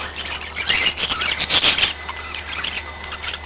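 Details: Several pet budgerigars chirping: a brief flurry of loud, rapid high chirps and squeaks midway through, then softer scratchy warbling over a low hum.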